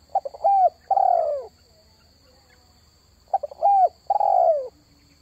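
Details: Lure call of a spotted dove for attracting wild birds. Two phrases, each a quick burst of clipped notes followed by two long, descending, throaty coos, with a pause between phrases and a constant thin electronic whine behind.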